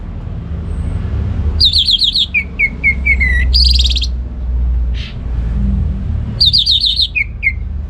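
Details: Singing orange-headed thrush in ngeplong gacor style: bright trilled phrases followed by a descending row of short whistled notes, repeated twice with a pause, over constant low rumbling noise.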